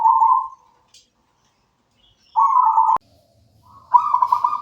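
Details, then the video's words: Local zebra dove song: short bursty trilled coos separated by long silences, with a sharp click after the second phrase and a longer trill at the end. "Suara merdu perkutut lokal alam gacor"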